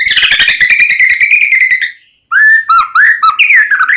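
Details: White-rumped shama of the Medan type, a strongly singing bird whose song is full of fill phrases, used as a lure to provoke another shama into singing: a fast buzzy trill, a short pause, then loud clear whistled slurs rising and falling.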